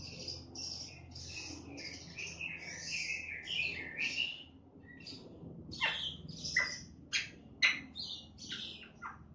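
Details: Black-winged starling song from a recording made 28 September 2018, a bird said to meow like a cat and chatter busily; a continuous high twittering chatter for about five seconds, then sharp separate whistled and clicking notes, fairly quiet.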